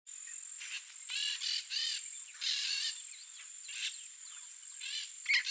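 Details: Wild yellow-faced parrot in Brazil's Cerrado biome giving harsh, raspy squawks in short bursts about every half second to second, over a steady high insect whine.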